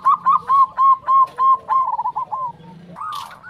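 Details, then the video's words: Zebra dove singing manggung as a lure to set other zebra doves singing: a string of steady, evenly paced notes that quicken and fade, ending in a short, louder closing note. "Pancingan Perkutut Manggung Untuk Semua Jenis Perkutut"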